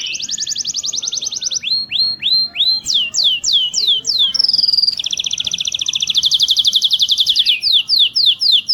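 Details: Canary song, used in 2020 to train other canaries to sing and roll: loud fast rolling trills alternate with a series of downslurred whistles and a steady held tone, then more rapid trilled rolls and sweeping notes.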